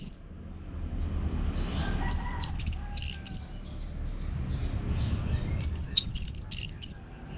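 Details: Orange-headed thrush song used as a training recording for contest birds, heard as two bursts of high, thin whistled and squeaky phrases separated by a pause, over a low background hum.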